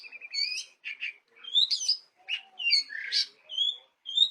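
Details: Long-tailed shrike, known locally as pentet, in active song; rapid varied medley of short whistles, squeaky slurred notes and chirps, shifting pitch with each brief phrase, mimic-like variety, clean with no other sounds.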